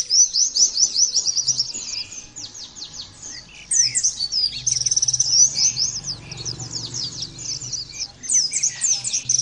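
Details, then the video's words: Oriental white-eye, recorded to help white-eyes learn and sing: continuous high twittering song of quick falling chirps and brief trills, rising and falling in volume over a faint low-pitched hum. "terapi pleci bikin nembak mudah di tiru langsung ngotot bunyi"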